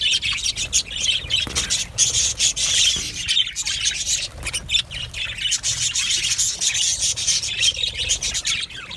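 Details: Aviary full of budgerigars chattering nonstop, high raspy twitters and chirps overlapping in a dense, even wall of sound.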